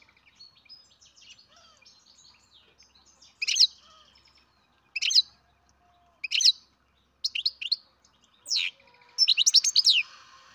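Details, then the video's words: Young captive-bred goldfinch calling in a home setting: after faint soft twitter, sharp descending chirps come in separate bursts, ending in a fast run of stacked tweets. "Καρδερίνα εκτροφής μωρό (Goldfinch carduelis baby."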